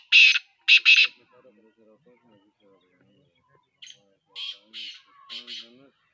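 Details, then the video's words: Partridge calling with loud, harsh, buzzy bursts: three strong notes early, then a quieter run of four more toward the end, with faint low voices murmuring between them. "TEETAR AWAAZ"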